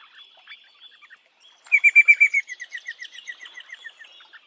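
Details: Eastern rosella in its natural habitat: a fast, even series of about a dozen sharp, high chattering notes, loud at first and then fading, over a faint steady high whine and a few soft chirps before it.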